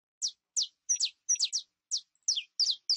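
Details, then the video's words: Female canary in heat calling for a male to mate: clean, sharp downward-sweeping chirps repeated about three times per second, with no background noise. "HEMBRA EN CELO LLAMANDO A MACHO CANARIO PARA APAREARSE"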